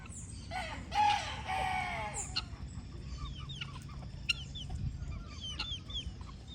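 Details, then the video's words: Farm chickens clucking: a burst of harsh, rasping clucks over about two seconds, with a couple of short tonal notes, then quieter with scattered high chirps from small birds and a low rumbling background. "Galinhas Cacarejando"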